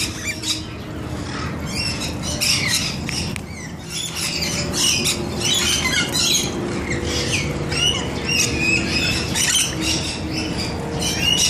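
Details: Bathing rainbow lorikeets in a noisy flock, dense overlapping screeches and chattering squawks almost without pause, with faint low rumble behind.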